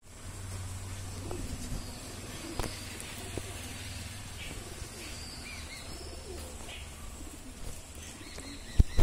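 A Jacobin pigeon gives low, soft rolling coos over a steady low hum, with faint chirps of other small birds in the background.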